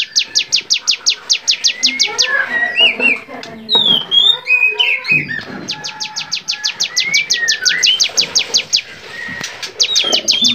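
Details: Bar-winged prinia song on a songbird training recording in lively varied style: rapid high descending note trains, about three per second, interrupted midway by a jumble of varied sliding whistles and chirps before the fast series resumes.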